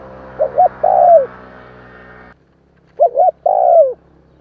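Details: Spotted dove cooing to stimulate newly caught doves: two phrases of paired short notes and a long falling coo, the first over broadband noise that cuts off abruptly before the second.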